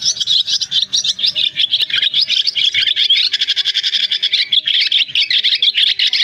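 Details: Swiftlets calling the flock to roost, recorded for bird trapping in August 2024; busy, shrill twittering with grinding, chattering phrases flows continuously from a crowd of birds.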